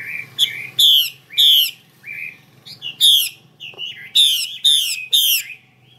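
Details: Calling female Chinese hwamei, used to prompt male birds to sing; short whistled slurs alternate with loud harsh buzzy notes, heard singly and then as a run of three near the end.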